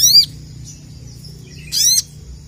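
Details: Crested jay (sogon) challenging rivals with two bright, high down-slurred sweeping calls about one and a half seconds apart, quiet between them.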